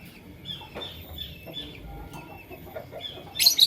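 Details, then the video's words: Lovebirds, Fischer's and masked, in the morning: a scatter of short, high chirps, then a loud, harsh burst of squawking at the very end. "LoveBird Chirping Sound - Lovebirds Fischer & Lovebirds Personata"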